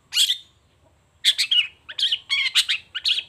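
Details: Long-tailed shrike calling in the morning: one loud grating note, then after a second's gap a rapid string of rough, chattering bursts.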